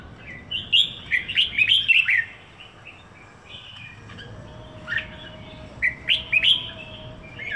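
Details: Caged red-whiskered bulbul kept one week in Singapore, singing short bursts of bright, warbled whistled notes sweeping between mid and high pitch, two phrases separated by a quiet pause.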